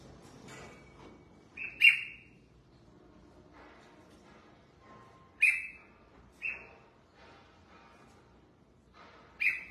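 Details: A captive red-whiskered bulbul being bathed and sunned sings loud clipped whistles with sharp onsets and falling tails. Four phrases come at uneven intervals, with faint rustling between them.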